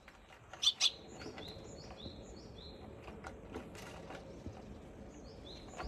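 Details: Sparrow on April 17 giving two quick, bright chirps close together at the start, followed by quieter scattered notes and a faint repeated twittering against a low rustling background.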